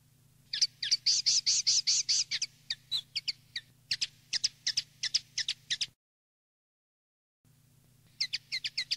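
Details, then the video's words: Common linnet singing field-style song used to tutor young linnets: a run of rapid high twittering notes, then scattered sharper chips, a brief pause, and the twitter resuming, over a faint low steady hum. "NUEVO CD CAMPERO PARA EDUCAR PARDILLOS 2020/2021"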